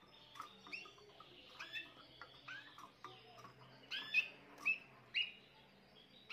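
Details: Young Spanish Timbrado canary of this year, recorded 14 June 2023, singing quick clipped notes that build into a rapid series of loud, bright, evenly spaced chips toward the end.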